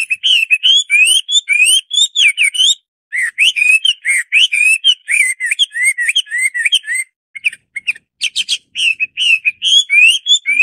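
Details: Chinese hwamei (Garrulax canorus), song.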